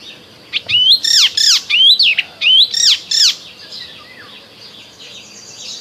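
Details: In spring, an Icterine warbler sings a fast burst of loud, slurred whistles that swoop up and down, several notes repeated in quick succession, then trails off into quiet background chatter; Icterine warbler.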